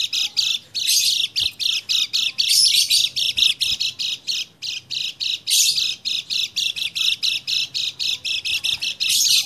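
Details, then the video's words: Lemon-bellied white-eye (kecial kuning) lure song, dated 28/11/20, to prompt a bird that has stopped singing: continuous fast, high-pitched twittering in quick bursts with brief gaps, sustained throughout. "PANCINGAN CEPAT GACOR UNTUK KECIAL KUNING MACET"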